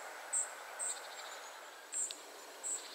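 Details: Four high, thin call notes from a family of spotted flycatchers at 51.943564, 20.122272, some followed by softer lower ticks, over background hiss.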